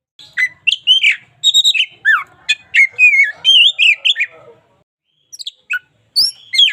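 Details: Song of a local white-rumped shama, for daily tutoring use: a varied run of clear whistled, rising and falling notes mixed with rattles and chirps, then a pause and a few sharp high calls.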